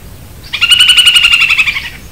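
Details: Hook-billed kite of the Caatinga, a kite that feeds almost only on snails; one loud, harsh, evenly pulsed rattle lasting about one and a half seconds, rich and nasal in tone, over a quiet background.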